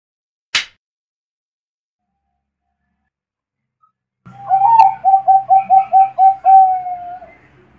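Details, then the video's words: Bangkok-type zebra dove, a contest bird, singing steadily: a sharp click, a pause, then a throaty run of quick coos rolling into a longer drawn-out final note. "dengarkan suara burung perkutut bangkok 10 menit langsung gacor"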